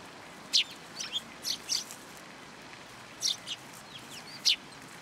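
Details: Sparrows coming to a feeding platform for food at a shrine in Japan, February: short sharp chirps, single or in pairs, scattered over a few seconds above a steady background hiss.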